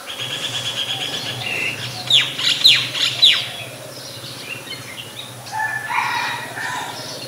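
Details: Singing Oriental magpie-robin in Ubon Ratchathani, Thailand, 28 October 2021, recorded with a Nikon P1000: three bright, sharply falling whistles in a quick run, then softer, varied warbled notes, over a faint low hum.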